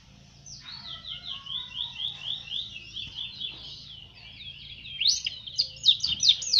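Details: A yellow one-footed canary (Serinus canaria) in Trinidad sings a continuous high, rolling song of fast repeated trills and down-slurred notes, growing louder and more scratchy toward the end over a faint low hum.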